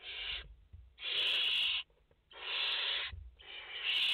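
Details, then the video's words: Barn owl chicks in a nest of five, 29 August 2021, giving harsh rasping hisses of about half to one second each, broad and noisy, repeated in an uneven series with short silent gaps. "Chouettes effraies en direct - Płomykówki - Obecnie w gnieździe 5 piskląt"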